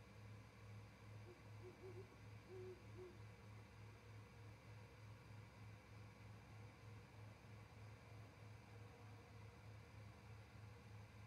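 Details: Great horned owls, a pair, calling at 07:25 from a perch by an osprey nest camera in Charlo, Montana, before heading to day roosts. A brief cluster of quiet low hoots comes near the start, then only humming noise.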